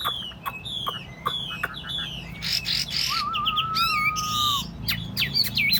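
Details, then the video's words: Caged tame Chinese hwamei set on a table: ticking notes and rasping noisy bursts, then a long wavering whistle and a few quick upward-looping whistles. "Thuần tít xách tay đặt bàn, không tật lỗi. 夜莺之歌, นกไนติงเกล, burung, bulbul"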